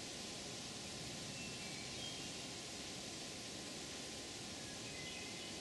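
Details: Even broadband hiss, like rushing water or wind, fills the whole recording without any animal sound.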